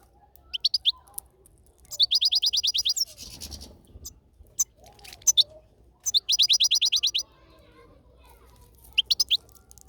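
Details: European goldfinch in a salaka, out in nature: high twittering bursts of rapid, evenly repeated notes, the longest lasting about a second, with short single chirps between phrases and a faint low background rumble.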